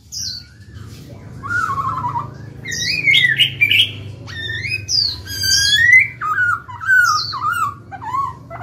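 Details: Singing caged Black-throated laughingthrush, used to stimulate other birds to sing, pours out a lively string of clear whistled phrases, wavering slurs and short rising notes, some harsher, in quick varied succession.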